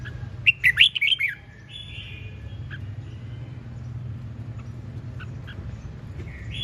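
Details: Red-whiskered bulbul in energetic ché chẻ song, opening with a rapid run of sharp, chirpy whistled notes, followed by a long flat buzzy tone and scattered softer notes against low background rumble.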